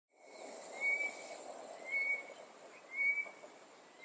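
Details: Two tropical boubous in coastal Mozambique call alternately from inside bushes and treetops, communicating with clear, fluted whistles about once a second, over a steady high insect hiss and a low background rumble.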